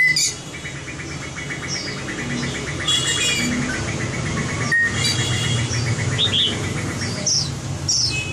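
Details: White-rumped shama, a bird trained for competition singing, delivers a fast, evenly pulsed trill with scattered higher whistled notes over a steady low hum.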